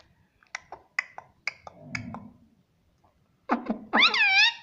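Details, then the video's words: Talking pet parrot makes a series of soft, spaced clicks and ticks, a low murmur, then loud clucking syllables leading into a wavering nasal harmonic call. "Talking parrot || Mitthu mitthu || Tota Tota"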